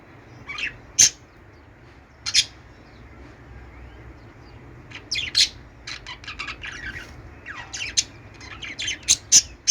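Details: Budgerigars playing on a peach while mating utter isolated sharp, high chirps and clicks spaced a second or more apart, thickening into quicker chirping runs toward the end.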